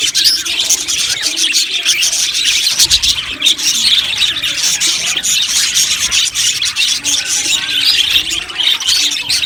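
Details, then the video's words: Budgerigars in an aviary colony keep up a dense, unbroken chorus of high chirps, squeaks and warbled chatter, with many birds calling over one another throughout. "Amazing Budgies chirping sounds | Budgies parakeets sounds"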